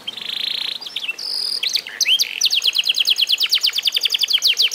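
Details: Canary, an eight-month-old F1SF bird trained by mastering, singing high rapid trills of sharp repeated notes after a long buzzy rattle and a few upswept whistles.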